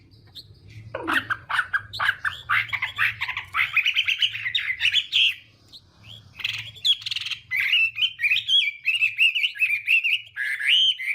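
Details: Chinese hwamei morning fighting song, used to train the voice and provoke singing: after a second's quiet, a burst of rapid chattering notes, then sustained warbling that ends in clearer whistled trills.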